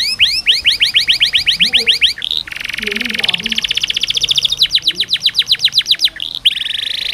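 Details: Canary tutor song for young canaries: a fast run of repeated upswept whistles flows into a long pulsing buzzy trill, then a brief rasping phrase; faint low murmuring sits in the background.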